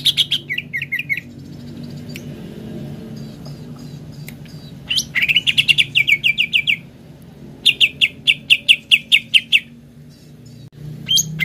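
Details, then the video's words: Greater green leafbird, played to get a kept bird singing: short trills of whistled notes separated by quiet stretches with steady low hum, including two fast runs of about eight ringing notes. "RUTIN PANCING CUCAK IJO ANDA DENGAN INI AGAR CEPAT GACOR"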